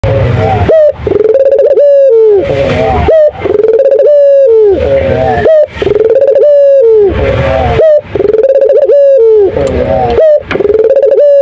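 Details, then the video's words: A captive turtle dove (puter), praised as an outstanding, prolific singer, coos loudly and close, repeating a low, rolling two-part coo about every one and a half to two seconds. "Suara Burung Puter Istimewa Gacor"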